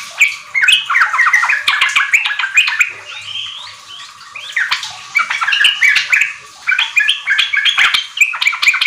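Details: Sooty-headed bulbul in full song, used to prompt young caged trucuk kept together to sing riwik and ropel. Dense, continuous chattering of bubbly rising and falling notes with brief pauses.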